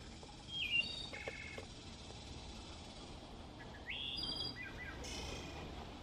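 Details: A wood thrush, whose Y-shaped vocal organ lets it sing two notes at once, gives a few soft, flute-like phrases with a rising whistle and a high, shimmering trill, over a steady hiss of outdoor noise.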